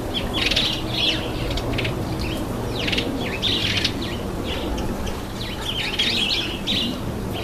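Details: Red-headed finch at its bath, calling with a string of quick, high chirps and squeaks while water splashes and wings flutter throughout.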